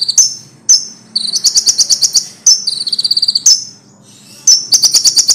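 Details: Van Hasselt's sunbird singing for songbird training, sharp high whistles alternating with rapid buzzy trills of repeated ticks, separated by short quiet gaps.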